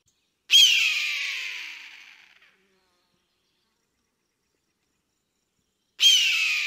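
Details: Two strident, harsh screams from an eagle hunting in flight, about five and a half seconds apart, each a hoarse falling cry that fades over roughly two seconds, separated by complete quiet.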